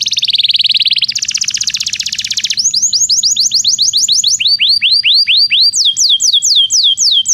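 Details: Belgian canary, song meant to train canaries that do not sing: a fast buzzy roll, then a dense rattling trill, followed by series of looping whistled notes slowing toward the end.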